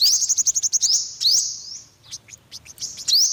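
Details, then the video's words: High, rapid twittering notes from an olive-backed sunbird, a quick run of clipped chips followed by a couple of rising buzzy slurs and softer scattered ticks. "tiếng chim hút mật 5 màu bụng vàng"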